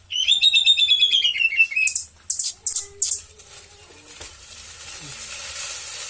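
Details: Caged white-rumped shama singing a cililin-style fill: a rapid rattling trill of repeated notes slowly falling in pitch for about two seconds, followed by a few sharp clicks and a soft hiss.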